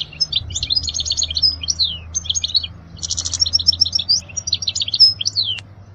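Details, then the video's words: European goldfinch song meant for teaching young goldfinches: rapid high twittering phrases of tinkling, liquid notes mixed with short buzzy trills, pausing briefly before another fast run, over a faint low hum. "اجمل غناء لتعليم صغار الحسون"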